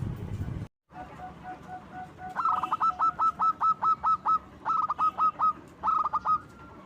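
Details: Loud local zebra dove whose song serves to lure other doves; after a noisy start, a fast series of crisp repeated coo notes, roughly two per second, breaking into three strings.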